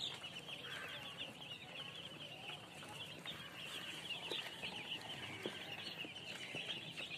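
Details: Softer, more distant chirping from many baby chickens, a constant stream of high, overlapping peeps with light background noise.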